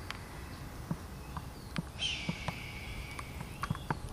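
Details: Red-tailed hawk from a family of four circling over an owl nest, screeching; one long harsh scream that slides downward for about two seconds, with footsteps crunching nearby.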